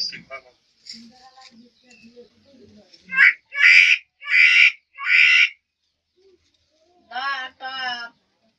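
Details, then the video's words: Shalik, or common myna, a bird said to produce many sounds and speak like a human. Soft scattered notes give way to four loud, harsh rasping bursts about half a second apart, then two nasal, strongly harmonic calls. "কথা বলে শালিক পাখি ।দেখুন শালিক পাখি কিভাবে মানুষের মত কথা বলে"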